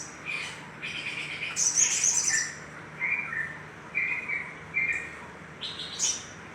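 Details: Lure recording of little spiderhunter meant to excite other birds: short, sharp chirps repeated several times a second in uneven bursts, with thin high squeaky notes over a steady low background hum.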